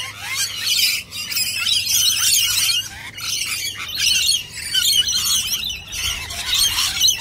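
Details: Rainbow lorikeets gathered in large numbers and waiting patiently in a line, a near-continuous chorus of shrill, grating screeches from many birds at once.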